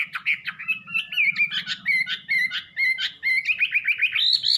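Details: Wambi singing a jerky sequence of short whistles and clicks that settles into repeated wavering notes, rising at the end.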